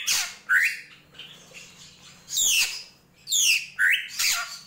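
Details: Drongo krantil gentolang song: a loud noisy burst, then a rising slurred whistle, a pause, and several more harsh bursts with upswept notes over a low steady hum.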